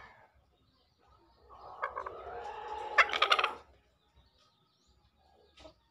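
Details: Green junglefowl lure call, used to prompt newly caught or reluctant green junglefowl to call: one drawn-out hoarse, buzzy crow swelling over about two seconds, harsher toward the end, with a low background hum.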